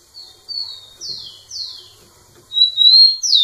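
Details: Rufous-collared sparrow singing persistently at a female: a short series of clear falling whistled slurs about half a second apart. A brighter, louder phrase follows, with a long thin whistle and a sharp downward-swept note at the end.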